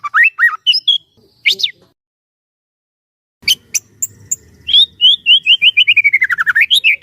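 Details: White-rumped shama song for training other shamas: a few slurred whistles, a gap, clicking sounds, then a fast descending series of repeated whistled notes ending in rising slurs.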